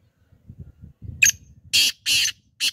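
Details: Harsh, grating call of a black francolin: low murmuring sounds, then a sharp click and three loud, raspy, noisy notes, the first two long and evenly spaced, the last cut short.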